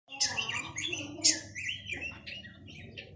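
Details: Chinese hwamei singing loud, clear whistled notes in quick, uneven succession, some sliding and some sharply accented, over a faint low background hum.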